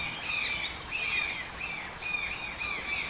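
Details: Dense, hoarse toucan squawking, with short scratchy notes running almost continuously above a steady background hiss.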